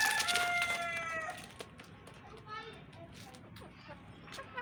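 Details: The end of a rooster's crow opens the recording, a tonal call fading out within a second, then quieter clucks and faint background sounds.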